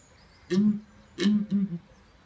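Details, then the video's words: Male southern ground hornbill at Birdland, Bourton-on-the-Water, Gloucestershire, booming love song to woo his mate: deep, hollow booming notes, one low boom then a quick pair, all at a similar low pitch. "Southern Ground Hornbill Mating Call"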